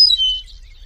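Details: Eastern meadowlark (Sturnella magna) in the wild giving a brief song fragment: clear, high whistles slurring downward, fading within a second over a faint low rumble.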